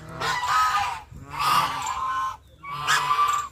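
A duck gives three loud, harsh, nasal quacks, each drawn out for about a second, with short pauses between them.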